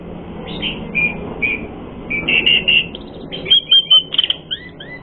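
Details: Asian pied starling song used as a lure to provoke fighting: scattered whistled and chattering phrases, sparse at first, then denser clipped notes with short rising slurs toward the end.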